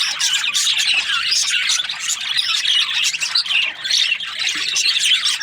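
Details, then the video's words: Breeding pairs of budgerigars make a busy, continuous chatter of rapid squawky chirps and warbles, many birds calling at once. "Budgies parrot chirping sounds | breeding pairs"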